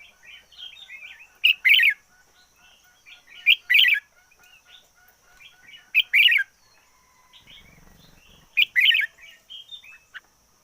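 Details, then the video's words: Intense singing from a decoy red-whiskered bulbul: four loud, liquid warbled phrases repeated roughly every two seconds, linked by quieter chattering and twittering notes. "Chim chào mào mồi hót căng lửa nhất 2021. Noog diab qhuaj zoo heev 2021"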